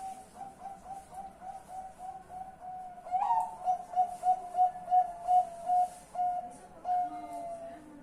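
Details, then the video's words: Zebra dove heard at night on 10 March 2021: soft, rapid cooing notes build into a louder, pulsing series of about eight clear hollow coos, then end in a drawn-out final note. "BUNYI MALAM PAMIT TIDUR 5x bunyi"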